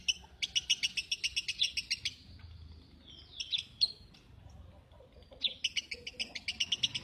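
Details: Lovebird rattling out quick trains of high, buzzy chirps, pausing midway for a few softer notes before another fast burst of chatter.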